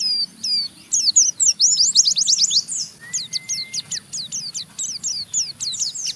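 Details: Oriental white-eye giving a rough chattering ngeriwik song that stirs another white-eye to join in. Quick runs of high, sharp, downslurred chips repeat several times a second in dense bursts, with a brief steady whistled tone midway.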